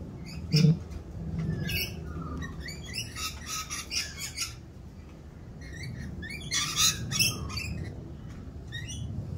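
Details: Rainbow lorikeets in mating season, more raucous than usual while doing their mating dance; harsh, screechy chattering bursts from several birds, overlapping and irregular, with a low background rumble.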